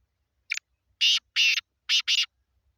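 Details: Harsh rhythmic phrase of a black francolin recorded in Sindh, Pakistan: a short opening note followed by four loud rasping notes, paired two and two, all within about one and a half seconds in otherwise silent surroundings.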